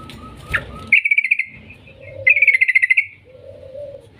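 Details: Yellow-vented bulbul lure song in the long 'ngetir' manner: after a noisy knock, two fast, evenly pulsed trills of bright chirps, each lasting under a second, then a soft lower droning hum.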